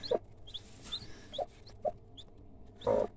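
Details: Broody hen with newly hatched chicks gives a few separate low clucks spaced about half a second apart, then a louder, longer cluck at the end, while faint high-pitched chick cheeps sound between them.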